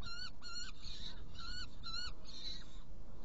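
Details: Saker falcon, Hungary, 16 June 2018 at 18:57, prey delivered and two young fed: paired clusters of short, clear, harmonic nasal calls separated by brief pauses, fading toward the end, with low rumbling behind.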